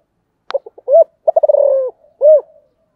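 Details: Spotted dove phrase after a brief click: quick stutter notes, a rising arched coo, a fast rolling trill sliding lower and lengthening, and a closing rounded coo.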